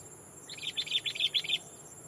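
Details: Sooty-headed bulbul used as a decoy, calling to a rival to draw in wild birds; a quick string of about seven bubbly chirps, fairly faint, against a constant high-pitched insect drone.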